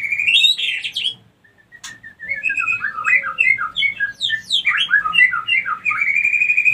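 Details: Female white-rumped shama lure sound to stir other females to breed: a bright warble, a short pause, then a rapid run of chopped, zigzagging whistled notes ending in a steady trill.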